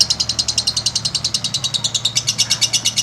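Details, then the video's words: Lovebird keeps up a sustained chatter of harsh, high, clipped notes, repeated quickly and fairly evenly from start to finish. "every lovebirds makes a LONG sound"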